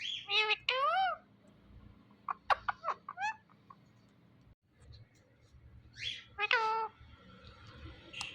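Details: A talking Indian ringneck parrot produces several bursts of nasal, speech-like syllables, some sliding upward, separated by short clicks and quieter gaps.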